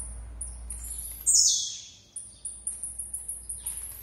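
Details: A blue-black grassquit (Volatinia jacarina) gives one loud, high, buzzy note sliding downward, among a steady run of very high, thin ticking notes repeated several times a second.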